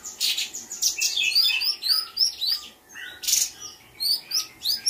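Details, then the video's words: Spotted blue-winged leafbird, caged and in training on mimicry, gives a rapid jumble of sharp high chirps and short upslurred twitters. A steady faint hum runs underneath. "Cungko trotol gacor"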